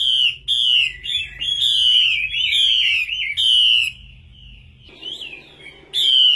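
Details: An old, wild-caught female Chinese hwamei pours out loud, ringing, slurred song phrases in rapid bursts for about four seconds, pauses, then starts again.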